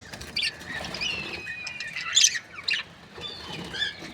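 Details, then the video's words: Budgerigars, Australian parrots kept as breeding pairs, giving scattered high chirps and short warbling whistles with quiet gaps, a few louder sharp notes near the middle, over a soft background hiss. "Budgies parrot chirping sound"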